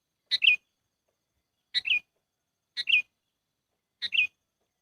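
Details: Lure call of a sooty-headed bulbul used for trapping birds: four separate short chirpy phrases spaced about a second apart, each a sharp note sliding into a brief warble, quieter, with nothing else audible.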